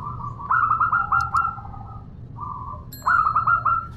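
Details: Local zebra dove female calling a male, giving rapid rolling runs of bright clipped coos over a sustained lower tone, a brief pause with a steady hum-like coo, then another rolling run.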